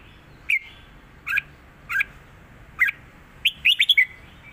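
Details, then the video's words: Red-whiskered bulbul performing a southern 'rik' master song: three spaced, slightly buzzy two-part notes about a second apart, then a quick rolling run of bright whistles at the end. "นกเสียงทอง ร้องริก/เพลงใต้แม่บทชัดๆ"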